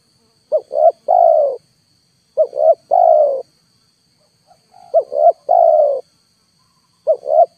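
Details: Spotted dove lure call played at full volume to draw down wild birds, which do not come: a phrase of two short rising notes and a long falling coo, heard three and a half times, over a faint steady high whine.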